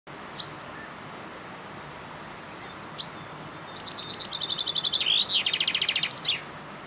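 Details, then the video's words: Male common chaffinch singing at a feeding station at Tangarreg Hides, Blaenpennal, Ceredigion. After two single sharp calls, an accelerating, descending trill rolls into a final flourish, heard over steady background hiss. "Singing chaffinch"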